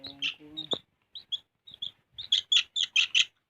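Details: Sooty-headed bulbul in lively full song: short bright chirped notes, first scattered, then a rapid run of six loud repeated phrases near the end, with a brief low rasping noise at the start.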